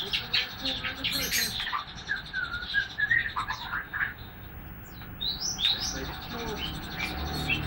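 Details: ['White-rumped shama juvenile of Medan origin, roughly three months old, starting to sing openly. It gives a busy run of chirps, clicks and twittering, then clearer rising and falling whistles near the end, with constant low background rumble.']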